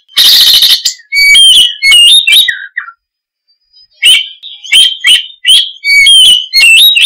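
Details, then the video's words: Oriental magpie-robin opening with a harsh buzzy burst, then rapid whistled chirps and slurred notes, a short pause, and another quick series of bright whistled phrases. "Suara Kicau Burung Kacer - Ngoceh Gacor"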